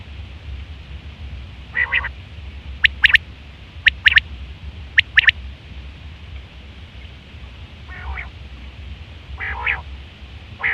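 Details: Quail calling in September 2023, a call used for hunting and mating: bright three-note bursts repeated about every second, alternating with rough nasal buzzes over a low background hum.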